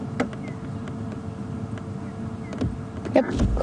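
A low vehicle engine drone with a few faint knocks and clicks, and no animal calls.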